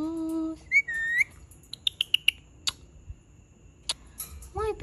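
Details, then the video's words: Indian ringneck parakeet, described as angry, with a steady low whistled note, a rising whistle, then a run of sharp clicks and ticks, ending in a short wavering note. "ANGRY INDIAN RINGNECK SOUNDS"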